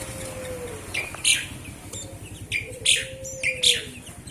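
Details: Sooty-headed bulbul giving short, bright chirped notes in clusters about every half second, some with a brief upward flick, over a steady low rhythmic mechanical hum and a soft low drawn-out whistled tone.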